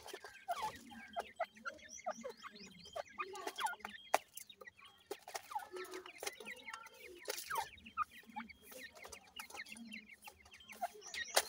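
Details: Grey francolin chicks (dakhni teetar) calling together: a busy stream of thin, high, upslurred peeps overlapping from several birds, with soft low clucks and scattered clicks and knocks.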